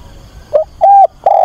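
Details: Decoy spotted dove cooing to find a mate, its voice meant to excite and lead in wild doves: a short wavering coo, a level mellow note, then a held coo cut off at the end.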